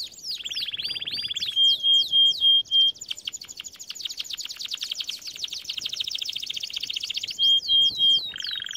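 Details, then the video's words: Canary song for training: a low buzzy trill, several loud pure whistles in a row, a long rapid rolling trill, then more whistles and a lower buzz. "Most powerful song for training Canary"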